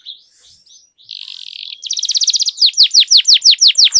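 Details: Canary singing on a lure track for other canaries: soft notes, then a buzzy trill speeding into a rapid rattle, ending in a steady series of loud descending whistles, about three per second.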